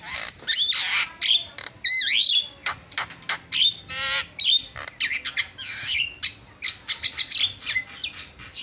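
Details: Several Javan mynas in continuous, answering song for a masteran (training recording): a busy jumble of harsh squawks, rasping chatter and looping high whistles, sharp bursts following each other almost without pause.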